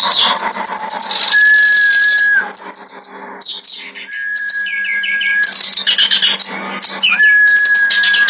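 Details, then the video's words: Clamorous reed warbler (kerak basi) in a harsh training-master song style, singing nonstop: dense rasping chatter with long steady whistled notes held about a second, rising slurred trills, rapid buzzy bursts, a constant low electrical hum beneath. "Masteran Kasar Burung Kerak Basi Gacor Bocor"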